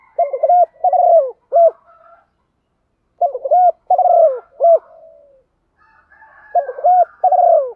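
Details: Calling female spotted dove attracting males: three phrases of low, rounded coos in quick groups, a drawn-out wavering note in each, about three seconds apart, over soft background chirping of other birds.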